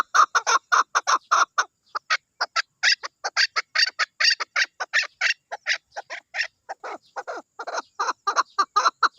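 A chukar gives a long, rapid series of harsh clucking chuk notes, three to four a second, rising and falling in loudness with no other sounds.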